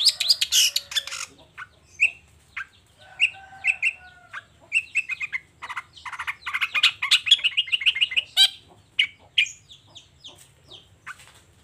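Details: Long-tailed shrike singing vigorously in the morning, pouring out its repertoire of material: a dense, varied run of high chirps, short whistled notes and harsh rapid bursts, packed tightly together with brief pauses, over faint low hum.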